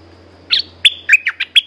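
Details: Short burst from a caged red-whiskered bulbul, a chatty lure-song singer: six clear, ringing whistled notes, some rising and some dropping, delivered in under two seconds, with a faint low hum behind.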